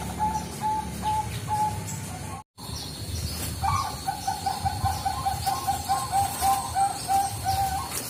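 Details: Perkutut Bangkok, the zebra dove, heard as a lure call: a few spaced cooing notes, a short break, then a long fast string of clipped coos at one pitch over background noise.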